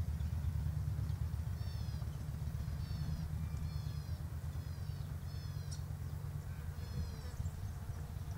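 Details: White-eared honeyeater sipping sugar-solution nectar from a sports bottle: a run of about six short, bright, harmonic notes with quick upward strokes, spaced roughly a second apart, over a steady low mechanical hum.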